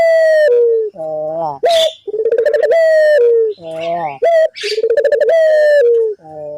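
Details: Barbary dove singing loudly as a lure recording meant to make other doves call back; deep, harsh harmonic coos repeated in quick bursts, some rising then dropping in pitch, with short breaks between phrases.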